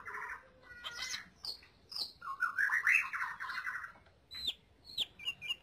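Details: Lesser green leafbird song used for training other birds: varied warbled and chattering phrases, a busy jumbled stretch in the middle, with sharp high notes toward the end.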